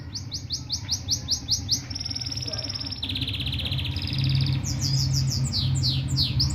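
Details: Canary cross gulsir, Parachinar, 2022, in full rolling song: fast series of high swept notes, then a long rapid buzzy roll, then quick descending chirps, all over a steady low electrical hum.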